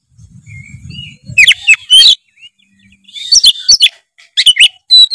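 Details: Oriental magpie-robin in full fill-in song, meant to draw a lazy bird into singing: a soft low murmur at first, then repeated bursts of bright whistles and harsh chatter.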